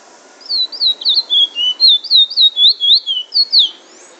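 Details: Trinidad bullfinch song of the drawl and wheet drawl style: rapid series of bright, looping whistled notes, about four each second, with a short pause near the end before two final slurred whistles.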